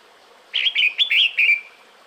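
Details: A single one-second phrase from a female red-whiskered bulbul calling the male during breeding season, five connected warbling whistles ending in a drawn-out falling note, set against faint background hiss.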